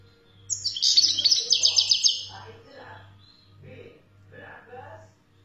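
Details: European goldfinch from Algeria, wild stock, pouring out a rapid run of sharp rising and falling twitters for about a second and a half, followed by low murmuring voices and hum.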